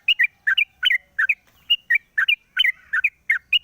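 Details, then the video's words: Morning song of a caged sooty-headed bulbul once its cage cover comes off, a lure recording: paired chirpy notes with a rising-then-dropping shape, delivered in quick bursts with brief pauses between them. "pancingan burung trucuk di pagi hari buka krodong bunyi"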